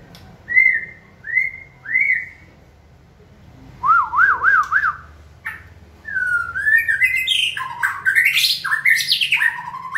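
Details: White-rumped shama kept in a cage and trained to sing when prompted: three upslurred whistles, a pause, a wavering lower trill, then a burst of varied, fast, slurred and scratchy whistled phrases.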